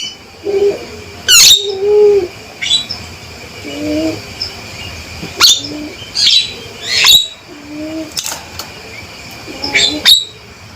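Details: A male Javan myna repeats sharp, high call bursts at irregular intervals, mixed with softer, lower cooing notes between the loud calls.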